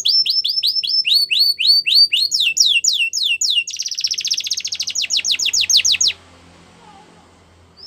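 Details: Yellow canary singing in the wild: fast rolling trills of rising chirped notes, about three or four per second, shifting into a rapid buzzing roll before stopping, followed by near quiet.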